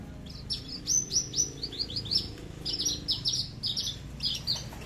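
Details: A captive Horsfield's bush lark of the "aliena" type from Papua sings a loud, rapid run of high, thin chirps and trills with no low notes, phrases tumbling without pause; this type can reportedly sing for 20 minutes nonstop.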